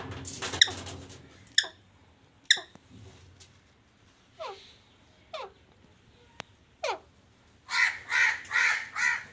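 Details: A pet parrot talking indoors: scattered sharp clicks and short downward-sliding squeaks, then four rhythmic, harsh, buzzy syllables close together at the end.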